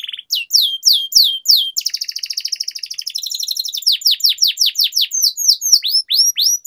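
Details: Canary song used for singing training: rapid series of sweeping downslurred notes, a buzzy trill in the middle, then quick repeated descending whistles, rolling continuously.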